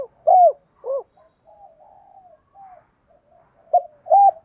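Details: Cooing of a Spotted dove in "đồng pha" voice, calling to females. Two arched hooked notes, soft wavering murmurs, then two more hooked notes. Otherwise silent.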